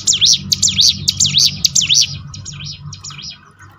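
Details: Prinia (ciblek gunung) song played for training birds: quick, high, swooping notes, loud at first and then fading, over a steady low-pitched hum.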